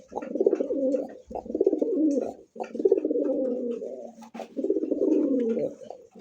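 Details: Domestic pigeons of mixed breeds, including Lahori, Rajgolla, Giribaz, Kokka, Chila and Tiger Golla, kept on a farm in Jamgara, Ashulia, Savar, Dhaka. Recorded on a December evening. Low, throaty, rolling coos come in overlapping bouts of one to two seconds, indoors, with a brief thump.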